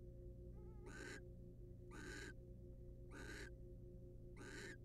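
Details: Wild male barn owl preening the female in a nest box; four harsh noisy hisses about once a second, the first preceded by a faint thin rising whistle, steady hum underneath.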